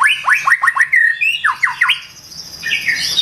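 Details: Morning song of a White-rumped shama: a quick series of rising whistled notes, about five in a row, then a flat whistle and more upswept notes, fading to soft high chatter.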